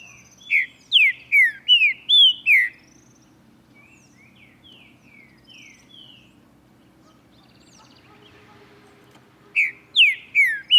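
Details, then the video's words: Male green-winged saltator (Saltator similis) singing in the morning: a loud burst of five rich, slurred whistled phrases, a quiet pause with faint distant chirps, then the phrases return. "TRINCA-FERRO CANTANDO"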